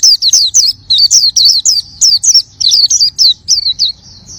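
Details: Oriental white-eye (pleci) in energetic gacor song: quick runs of high, sweet, slurred twitters, each phrase bending down then up, repeated several times per second with tiny breaks and a soft low background rumble.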